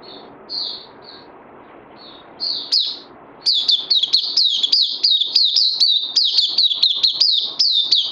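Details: Oriental white-eye recorded 31 May 2020 opens with a few soft, separate high notes. Then it breaks into a fast, loud, even series of dipping chirps, about four per second.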